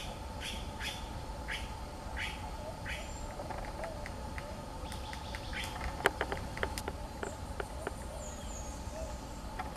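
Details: Ochre-collared piculet tapping hard on wood while foraging for food; brief chirps from other birds open the recording, followed by a run of crisp, uneven knocks, some in fast bursts, over low steady rumble.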